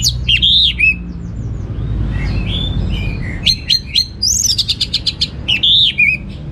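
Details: Orange-headed thrush (anis merah) singing in the energetic 'gacor teler' style with a rich repertoire: clear whistled phrases sliding up and down, then a burst of rapid sharp notes and further whistles, over a low background hum.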